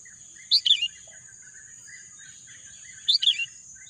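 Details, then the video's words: A bird gives two bright phrases of rapid descending chirps, spaced about two and a half seconds apart. Quieter birds twitter in the background beneath a persistent shrill high tone. "bunyi kicauan burung"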